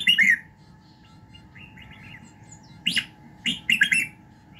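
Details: Red-whiskered bulbul singing in the morning, a voice-training recording to fire up a bird. A warbled phrase opens, soft quiet notes follow, then a lively cluster of sharp whistled chirps ends it, with a constant low hum beneath.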